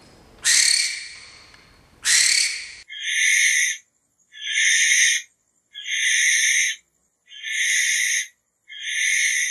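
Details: Barn owl: two harsh, broad screeches, then a regular series of breathy, rasping hisses, each lasting under a second.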